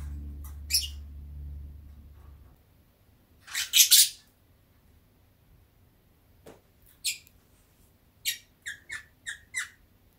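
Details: Pet Fischer's lovebird dozing in warm sunshine indoors: scattered chirps, a loud double raspy squawk, then a quick run of five short clipped chirps, after a low hum fades out early.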